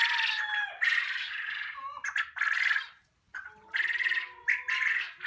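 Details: Young poultry-unit quail giving a dense run of rasping, scratchy calls with only brief pauses, a few notes ending in a thin falling whistle.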